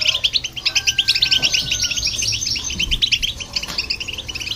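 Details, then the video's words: European goldfinch and a hybrid in song, used to stir up other birds; fast bright twittering fills the clip, with a faint long steady tone across the first half. "Goldfinch And The Hybrid To Hear And irritate The Birds"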